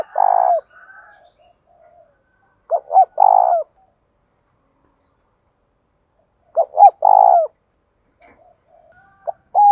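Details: Spotted dove in the thổ voice style giving challenge calls: three loud low cooing phrases roughly every three to four seconds, each short notes leading into a long rolling coo, with faint murmurs between.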